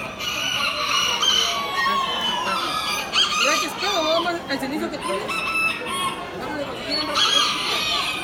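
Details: Miniature roosters crowing at the Expo "yekas" exhibition, 20 October 2019. Several birds crow in overlapping, wavering, harmonic-rich calls that rise and fall, some fast and choppy, over steady crowd chatter and voices.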